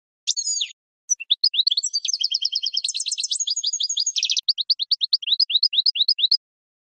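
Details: European goldfinch song played for training other birds: a buzzy opening, then a long, fast twitter of repeated high notes, a dense trill, and a run of upslurred chirps.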